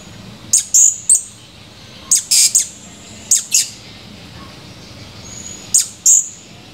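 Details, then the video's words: Male blue-crowned hanging parrot, recorded 17 July 2020, singing actively: very high, thin, sharp chirps given singly and in quick pairs, in three bursts across the clip, against a quiet background. "Serindit birds chirping"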